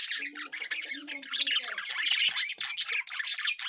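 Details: Lovebirds in a constant dense chatter of shrill, harsh squawks and chirps overlapping with no pause, several birds calling at once.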